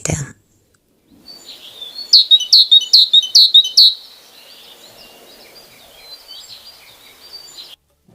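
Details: A yellow-bellied tit sings in winter, a quick run of about six thin, ringing high notes, then trails off into soft, high twittering, after a brief clipped sound at the start.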